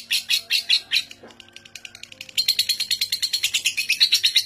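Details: Lovebird famed for a seven-minute non-stop ngekek, used as a master for young birds; harsh high chatter pauses briefly into softer notes, then resumes as a denser, faster rasping trill.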